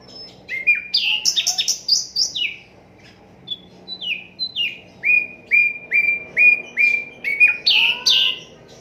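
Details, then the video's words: Asian brown flycatcher singing, unedited, as a master recording for songbirds: rapid jumbled twitters, a pause, then a steady string of short falling whistles, about two per second. "Sikatan londo durasi 15 menit, Reall No editan, cocok buat masteran semua burung"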